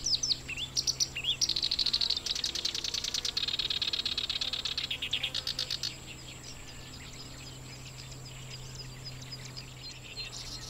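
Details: Black-browed reed warbler singing in grassland at Watarase retention basin, Japan, during breeding season while incubating eggs; a cool, refreshing song of rapid repeated chattering and buzzy high notes for six seconds, then only faint distant notes over a steady low hum.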